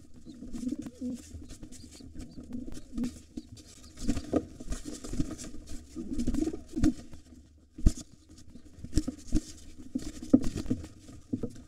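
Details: Wild pigeons fighting at a nest holding two nestlings: a gray intruder tries to take it over while the white father drives it off. Low, throaty cooing phrases come in bursts among thumping wing-beats and scuffling, with indoor room echo.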